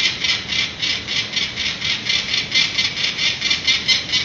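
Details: Cacking from peregrine falcons at a San Francisco nest ledge on the morning of 19 April 2018, after their three chicks were banded; an even chain of harsh, grating cack notes about twice a second.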